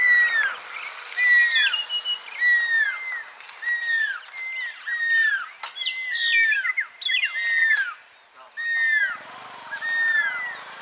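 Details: Near Lake Baringo, Kenya, a pearl-spotted owlet repeats clear whistles that sweep downward, about one per second, with overlapping notes mid-sequence, one sharp click, and a brief pause before the series resumes.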